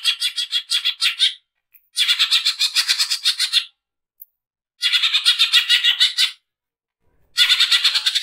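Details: Greater green leafbird, harsh rapid training song: long rasping chattering runs of fast repeated notes, roughly three a second, separated by short silences.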